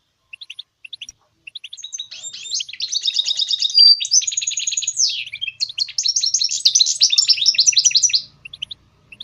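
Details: A goldfinch mule sings a long, loud, continuous twittering medley of rattling trills, buzzy phrases and sliding notes, framed by a few high clipped chirps at the start and end.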